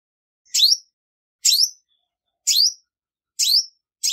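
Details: Evenly paced high chirps from a female olive-backed sunbird, one about every second, each note sliding downward with a sharp upper edge. Recorded free of noise, the call serves to excite males.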